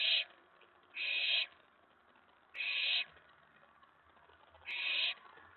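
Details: Owlet in a nest box at night, 19 May 2017 around 10:45–11:03 PM, excited when an owl arrives at the tray after a mouse delivery; four harsh, breathy hissing screeches, each about half a second, separated by quiet gaps.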